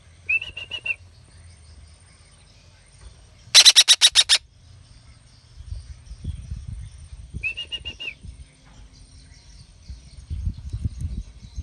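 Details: Young kept Red-breasted parakeet calling: two short buzzy chattering note runs bracket one loud, raspy burst of about six rapid harsh pulses, with quiet low background rumble between calls.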